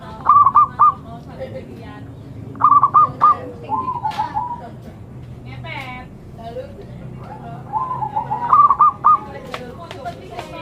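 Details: Zebra dove, described as a sacred bird, giving repeated bursts of short staccato cooing notes in quick stuttering runs, with softer rolling coos between phrases, over a low background hum and scattered faint chirps.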